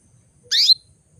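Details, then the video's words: ['A single loud chirp from a female canary, sweeping sharply downward, called to prompt males into breeding condition, in near silence.'] "PANCINGAN KENARI BETINA MEMANGGIL JANTAN"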